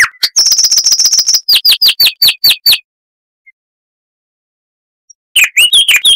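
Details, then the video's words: Clear, loud song of the chestnut-vented warbler (Sylvia subcaerulea), southern Africa: a rapid trill of high steady notes, then slower down-slurred phrases, a long pause and a fresh twittering burst. "Masteran Burung Luar Negeri Suara Asli Kristal HD - Chestnut-vented Warbler (Sylvia Subcaerulea)"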